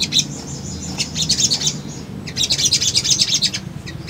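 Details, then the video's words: Fired-up male sunbird song for luring birds into responding: two dense bursts of shrill, rapid chirping and twittering separated by a short quieter stretch, with a low hum behind. "SOGON GACOR PANCINGAN BAHAN IJOAN"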